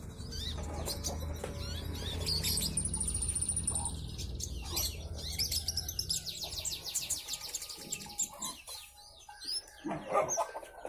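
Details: Brown-breasted sunbird in full, energetic song: quick bursts of sharp, high twittering notes, with a long trill near the start and scattered chirps toward the end, all over low rumbling background noise.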